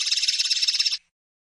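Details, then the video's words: Short burst of linnet song: a quick, even run of high, buzzing pulses for roughly one second, ending abruptly into silence. "El Canto del Pardillo"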